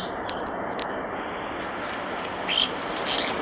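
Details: Near a nest box, a common starling gives two high squeaky notes in quick succession, then quiet, then a faint high chattering phrase.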